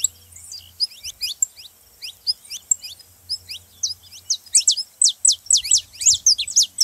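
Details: Saffron finch song, played to fire up a quiet canary into singing: quick high chips and downward-slurred notes, at first scattered and then crowding into dense bright bursts near the end, over a faint low hum.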